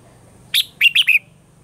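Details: A single short Red-whiskered bulbul phrase from a morning song with a mature wild-type voice, meant for training caged birds: one sharp chirp, then three quick bright notes, the last slurring downward, over a low steady hum.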